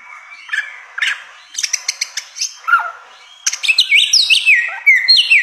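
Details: Varied samyong song from a bare-throated whistler: a run of crisp clicks and ticks, a falling whistle, then a lively string of rising and falling whistled notes.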